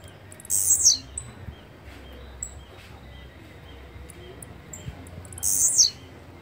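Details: Blue-black grassquit song: two short, very high buzzy bursts that slur downward, about five seconds apart, over a quiet background with a low hum.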